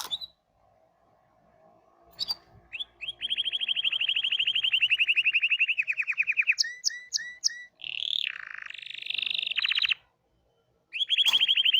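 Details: A Hipi-type canary sings a long, rapid, steady trill lasting several seconds, then a few sharp repeated notes, a warbling wavering phrase, and another fast trill after a short silence.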